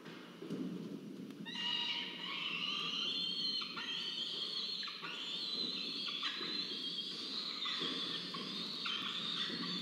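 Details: Peregrine falcon at a nest during a food delivery, as one bird brings prey and the other takes and eats it, at a research nest camera in Orange, New South Wales, Australia; long harsh wailing screams, continuous and overlapping, over steady background rumble.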